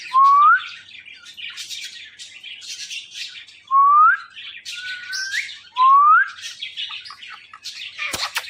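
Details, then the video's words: Indian ringneck talking parrot whistles three loud, clean rising notes about two seconds apart, with softer squeaky chatter between them. "The Best Indian Ringneck Talking Parrot"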